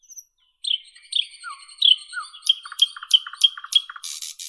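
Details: Singing nightingale: a long thin held whistle over repeated swooping notes, then a steady beat of sharp clicking notes roughly every third of a second alongside lower paired chucks, closing with a harsh buzz.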